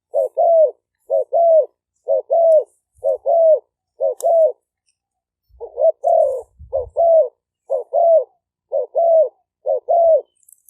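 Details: Decoy spotted dove song from Roi Et province, Thailand, Malay strain and 'phad phone' style, recorded live on a smartphone; paired coo phrases repeated steadily about once a second, a brief gap midway, faint low thumps.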